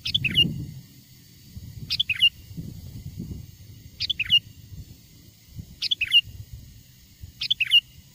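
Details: Sooty-headed bulbul lure song, taken from a wild bird and used to draw wild bulbuls closer: five short bubbly phrases of three or four quick whistled notes about every two seconds, over low rumbling background noise.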